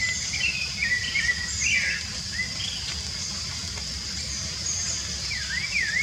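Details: Rufous-bellied thrush singing free in the wild. Its clear, fluting phrases dip and rise in quick succession early on, then pause. A zigzagging warble follows near the end, above a constant shrill insect hum and faint high chirps.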